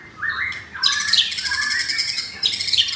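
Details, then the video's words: Captive F4 blorok white-rumped shama in Jakarta, Indonesia: short rising whistles lead into a loud burst of harsh, buzzy, rattling song, pausing briefly before another rasping outburst. "Murai Batu F4 Blorok Materi Kasar"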